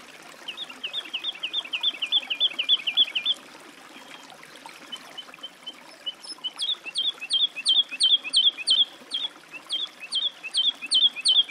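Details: Woodlark singing a fast rippling trill of repeated notes, a pause, then a louder string of sharp, evenly spaced whistled notes with high overtones continuing to the end.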